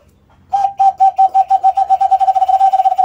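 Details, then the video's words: Brown dove, locally called alimokon, giving a series of steady mid-pitched hooting notes that start spaced and speed up into a rapid pulsing run. "ALIMOKON BIRD SOUND"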